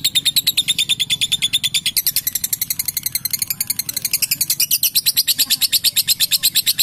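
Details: Long-duration 'ngekek' trill from a female lovebird: a relentless series of rapid high, metallic pulses that shift slightly higher in pitch midway and carry on without pause.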